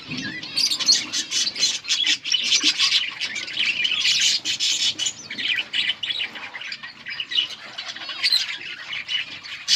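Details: Budgies feeding their chicks during breeding, with a dense, continuous mass of high, harsh chirps and squawks overlapping throughout.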